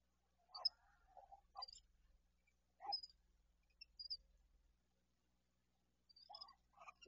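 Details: Barn owls, a breeding pair mating at an owl box at night: short, irregular chirruping and twittering notes in scattered bursts of one or two, with quiet gaps and a faint low hum behind.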